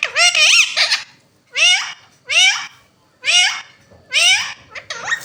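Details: Indian ringneck parakeets, a talking pair, repeating loud speech-like phrases about once a second, each a swooping tone that dips and climbs with rich buzzy overtones, separated by short silences.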